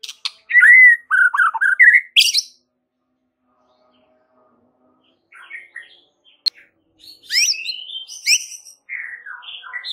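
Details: White-rumped shama masteran song: loud varied whistled phrases with swooping and falling notes, a pause of about three seconds, then softer high twittering and rising whistles.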